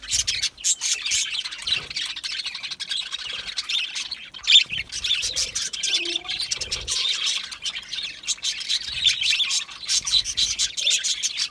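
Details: Flock of aviary budgerigars keeping up a continuous high twittering chatter of fast chirps and warbles over nearly twelve seconds, with faint low knocks and a brief lower cooing note.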